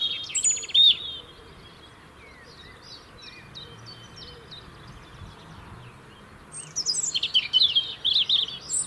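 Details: Robin song from the UK, part of year-round singing that keeps a winter territory: brief high fragments, a long near-quiet gap, then a loud jangling burst of high tinkling notes at the end.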